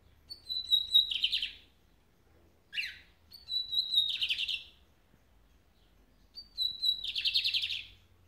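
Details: Fast lined seedeater singing: three phrases, each opening with a clear high whistle and breaking into a dense buzzy rattle, with a brief sharp chip between the first two.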